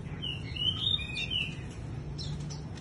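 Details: Wing-fluttering bush lark delivering a short phrase of clear sliding whistles, rising then falling, followed by a few faint high chirps, with low-pitched background hum throughout.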